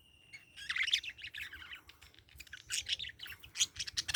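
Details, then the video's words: Parakeet chatter: a thin whistled note, then bursts of scratchy high chirps separated by a softer lull. "Parakeet Chirping Sound"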